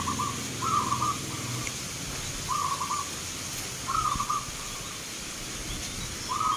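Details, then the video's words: Local zebra doves at a Nglagu Ngepat Mentaraman song contest in Yogyakarta, Indonesia, 19 November 2023; a low, rolling, pulsed cooing phrase is repeated about every second and a half over a quiet hiss. "PERKUTUT LOKAL BERTAARUNG ADU GACOR"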